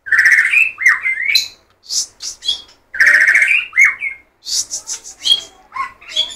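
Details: White-rumped shama delivering a dense, continuous song of loud fluty whistles, slurred rising notes and high buzzy trills, in short phrases with brief gaps, with nothing else audible.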